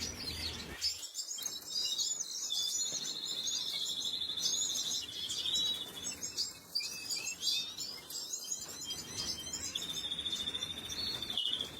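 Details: Canary chicks being fed, recorded on 26 April 2022: thin, high chirps flicker continuously above a long, steady, high-pitched tone that holds for several seconds, then breaks off and resumes near the end.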